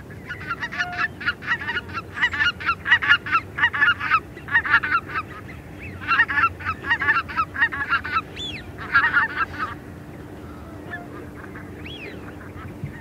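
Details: Small group of greater white-fronted geese calling in flight at medium-close range: a busy chorus of repeated yelping, honking notes in rapid bursts for about ten seconds, then fading to quiet with a steady low background hum.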